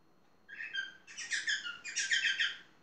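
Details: Talking parrot, indoors, giving a string of harsh, buzzy, rasping syllables in two bursts. They are loud and rapid, with no other sounds beyond faint room hiss.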